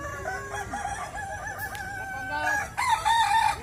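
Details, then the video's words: Kukuak Balenggek cocks competing in a West Sumatra singing contest: drawn-out crows with a rippling, stepped melody that rises in pitch and strengthens at the close, other roosters crowing faintly behind. "Lomba Kontes Ayam Kukuak Balenggek, Suaranya Bikin Kagum"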